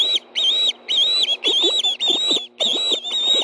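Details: At a Montana Project Osprey nest in Hellgate Canyon, two ospreys give food calls on an early September evening in 2013 while one gets a fish. Loud, sharp whistles repeat almost twice a second, with softer rustling knocks from the nest underneath.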